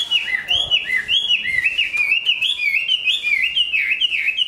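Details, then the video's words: Chinese hwamei, big-bodied and said to sing and fight well, finishing its moult, sings an unbroken stream of fluid whistled slurs that wave up and down, with brief accented upsweeps throughout. "Họa mi bộ to hót tốt"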